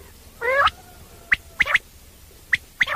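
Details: Common quail (batair) call for night hunting: opens with one drawn-out nasal, harmonic note, then crisp whistled triplets, a single note and a quick pair, repeated about every second.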